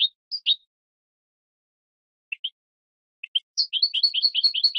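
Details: A 2017 training recording of European goldfinch song for captive birds: a few scattered high chirps separated by pauses, then a steady run of paired twittering notes picking up pace. No other sounds.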